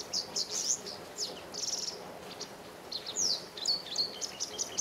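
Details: Japanese wagtail calling shrilly and at length in a garden. High, thin chirps and squeaky notes come in quick irregular bursts, some slurred downward, over a soft background hiss.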